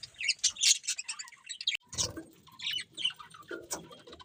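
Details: Budgerigars give scattered high chirps and scratchy warbles, with soft low thuds and fluttery noises mixed in.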